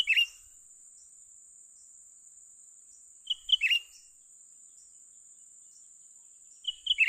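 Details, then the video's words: Calls of a young cucak ranting bulbul being lured to a trap recur about every three seconds: short whistled notes tumbling into a scratchy falling chatter, with a steady high insect buzz throughout. "memikat burung cucak ranting muda mantap"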